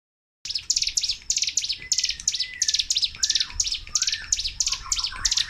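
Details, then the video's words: Sunda warbler (mountain ciblek) pours out a nonstop string of very high, thin, rapid chattering bursts, about three per second, used to prompt silent cage birds and as a master song. Softer slurred whistles sound faintly behind it. "TEMBAKAN CIGUN/CIBLEK GUNUNG GACOR DOR TANPA JEDA"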